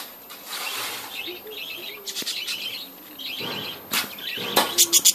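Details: Budgerigars in a breeding colony give quick warbling chirps in repeated bursts with uneven spacing, overlapping one another, with a few sharp higher chips and wing flutters near the end.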